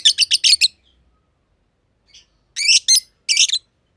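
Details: Aviary lovebirds, green personata and green pied personata, give a fast run of about six harsh high chirps, a long pause, then two more loud scratchy chirp clusters.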